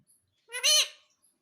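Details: Pet parrot imitating the word "mummy" in a single loud, buzzy, harmonic utterance that rises quickly, holds, then trails away, with near silence around it.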